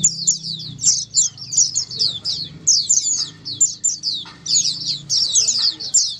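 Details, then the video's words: White-eye flock chorus meant to coax quiet white-eyes into answering: clear, high, sweet chirps tumble in quick bursts separated by short gaps, several birds overlapping, with a faint low hum beneath. "Dengar Suara Pleci Ombyokan ini pasti nyaut burung pleci anda"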